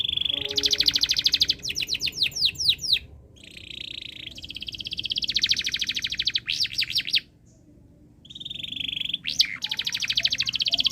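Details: Canary in breeding condition singing continuously to set other birds singing: high rolling trills, bursts of quick downward-sweeping notes, buzzy sustained rolls, with short pauses between phrases.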